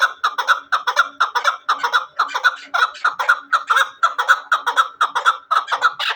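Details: Hunting chukar partridge: steady, rhythmic chuck-chuck calls, about two per second, harsh and clucking, kept up without a break.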